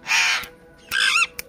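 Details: A pet parrot speaking words, said to use its original voice, gives two harsh, broad-band utterances with rising and falling harmonic sweeps, separated by a short pause, with a soft tone in the background.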